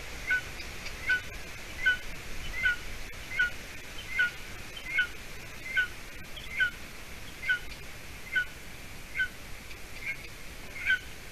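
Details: Golden eaglet on the nest in Latvia, evening of 30 June 2020, as the female brings roe deer leg hide; around fourteen high, bright slurred chirps at an even pace, with faint clicks between.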